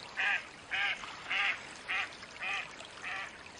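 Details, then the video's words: Wild Mallard duck giving six nasal, buzzy quacks about two-thirds of a second apart, each slightly softer than the last, over a faint hiss of background. "Mallard duck quack / call sounds, flying, bathing"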